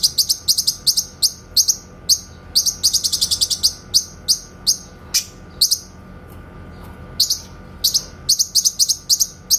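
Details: Grey-cheeked bulbul tembakan song recorded cleanly for white-rumped shama tutoring: volleys of fast, piercing high chips alternating with single spaced notes, with a brief lull before further rapid runs.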